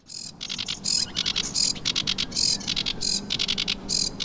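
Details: A ringed sedge warbler sings on 19 April 2023 in Brière regional natural park, Pays de la Loire, France: a fast, chattering run of harsh churrs and high, dry trills in quick bursts, over a soft low rumble.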